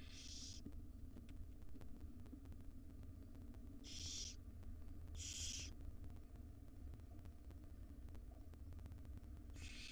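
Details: Five wild barn owl babies in a nest box beg loudly as their mother delivers breakfast: four to five harsh, hissy shrieks, two close together mid-clip, with a constant low electrical hum throughout.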